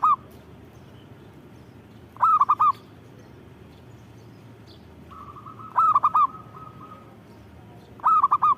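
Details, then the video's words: Local zebra dove sings four cooing phrases of four soft notes each; before the third, a level buzzy trill runs for about two seconds beneath the song. "Suara Burung Perkutut Gacor"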